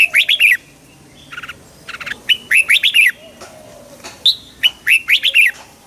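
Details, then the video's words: Red-whiskered bulbul singing, played to stir birds into excitement; quick bursts of bright, warbled notes sliding up and down, grouped in short phrases with brief pauses between them. "เสียงนกกรงหัวจุก ชัด 100% เปิดต่อ ให้นกคึก"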